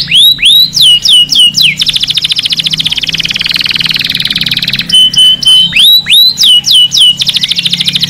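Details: Canary song meant to excite males to sing and mate and to instruct young birds: repeated falling whistled notes alternating with long dense high trills, pattern heard twice.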